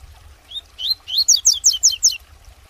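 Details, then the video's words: Captive-bred tutor Double-collared seedeater of the "tuitui" song type, used to train young birds, sings two or three thin rising notes, then five quick, high, sharply down-slurred whistles at about five per second, over faint low rumble. "COLEIRO tuitui PROFESSOR"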